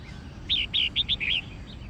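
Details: Red-whiskered bulbul fighting song from a bird in training: five quick, clear whistled notes, bright and slightly falling, given in a rapid run within about one second over a faint background hiss.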